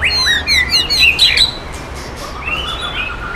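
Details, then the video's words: A wild-bred White-rumped shama of Sumatran stock from Bengkulu, a contest champion, pours out a fast, varied song of sharp whistles and rich slurred phrases, loud at first, then a softer, lower run of notes. "MURAI BATU SOPAN HORMAT JURI"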